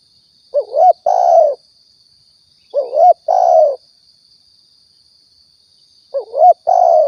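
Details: Spotted dove from Riau, a lure recording for trapping and hunting: low mellow coo phrases, each a quick wavering double note then a longer flat cooo, repeated about every two and a half seconds over a faint steady high whine.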